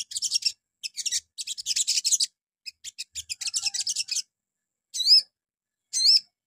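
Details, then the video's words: Morning sogon lure song meant to make other sogon reply: high scratchy chattering phrases in quick runs, followed by two separate bright whistled notes that wobble up and down near the end. "PANCINGAN PAGI HARI SOGON LANGSUNG NYAUT"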